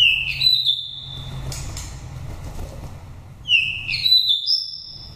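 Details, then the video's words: Wild-voiced oriental magpie-robin, a nest-raised bird of five seasons from Dak Lak, Vietnam, used to excite birds or lure wild ones: two bursts of clear sliding whistles climbing to high pure held notes, over a steady low rumble. "File chòe than đất mồi giọng rặc rừng"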